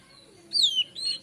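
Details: White-rumped shama morning song, used to lure birds: a loud whistled note sliding down from high to mid pitch, followed by a shorter rising-and-falling whistle.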